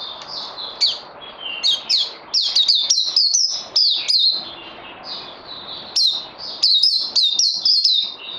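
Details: Kept songbird recorded 18 May 2020 while needing more training: clear, ringing whistles with sharp downslurs, delivered in quick runs broken by brief pauses, over a low steady hum.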